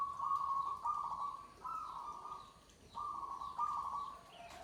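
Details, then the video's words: Zebra dove, called perkutut, of the joglo type, singing freely: clear, steady cooing notes on one level, in joined phrases with brief dips between them and a quieter trailing note at the end. "suara perkutut joglo"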